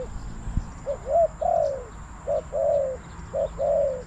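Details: At a Bang Li trapping spot a decoy spotted dove calls wild birds with repeated phrases: a short note followed by a long, level-then-falling coo, given three times in quick succession over soft background noise.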